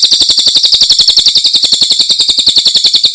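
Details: Cililin masteran used to tutor caged songbirds: a continuous, rhythmic trill of piercing high notes, evenly spaced and sustained throughout.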